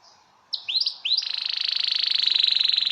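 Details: Belgian canary singing for mating: a few upward-curving whistled slurs, then a long, even rolling trill with a steady pulse, in quiet surroundings.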